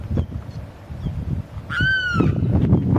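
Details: Male limpkin crying over and over to attract a mate: a single loud, wailing cry that climbs then slowly falls, lasting about half a second, over a steady low rumble of background noise.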